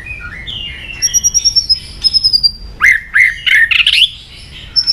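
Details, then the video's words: White-rumped shama song used to rouse emotion: soft wavering whistles at first, then loud harsh burst-like phrases with rasping, scratchy notes packed close together. "AWAS MURAI BATU MU IKUT EMOSI"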